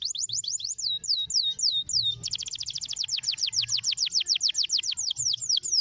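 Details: Canary song for stimulating other canaries: looping down-slurred whistled notes, then a brisk rolling trill of short repeated notes, about three per second, with a faint low hum behind.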